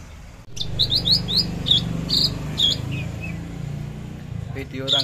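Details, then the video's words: Branjangan javanica (Javan bush lark), trotol and tembakan style, 13 December 2022: a quick string of loud, rising, whistled chirps, a couple of lower slurred notes, then a short pause before more sharp notes, over a low background hum. "Branjangan javanica lepas trotol tembakan sadis"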